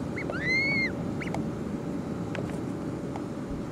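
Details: A raft of Harlequin Ducks at the south end of Middleton Island, Gulf of Alaska, May–August 2005, gives a squeaky, mouse-like rising and falling whistle, then a few short high squeaks, over steady surf and wind rumble.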